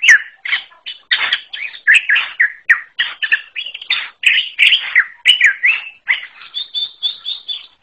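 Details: Greater green leafbird, forest variety (cucak ijo alas), in unusual song: many short, varied whistled and buzzy bursts. Near the end there are a few higher, even, repeated notes.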